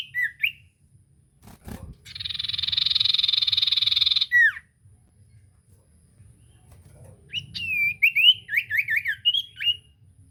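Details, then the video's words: Common iora heard as a lure to make a mute iora sing: a long harsh buzzing rattle lasting about two seconds, then a quick string of looping whistles; a sharp knock sounds early on. "Burung sirtu cipoh gacor pancingan ampuh bikin cipoh macet bunyi langsung nyaut"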